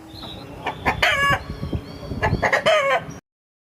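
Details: Rooster crowing in two harmonic bursts, one near the one-second mark and a louder one at about two and a half seconds, with short clucking-like notes between them. Recording ends abruptly before four seconds.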